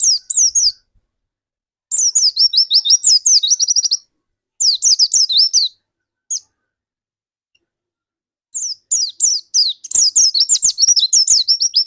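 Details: A prolific dakun white-eye, used as a lure for other white-eyes, sings long bursts of rapid, thin, rising and falling chirps, roughly three a second, broken by short silences.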